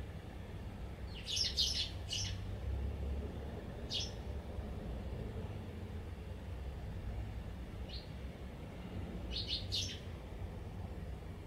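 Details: Eurasian tree sparrows back at a balcony in Japan on 26 October 2021 after the rice harvest. They give short, high chirps in quick bursts with a few single chirps between, over a steady low rumble of distant traffic.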